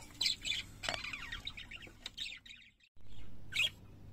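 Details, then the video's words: Pet parakeets singing, a run of bright chirps and warbled twittering notes, with a loud burst near the start, then a brief silence before a final sharp chirp over a steady low hum. "Singing Parakeets"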